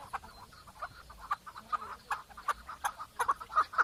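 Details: Chukar partridge giving spaced, clucking chuk notes that grow louder and more frequent, with light background hiss.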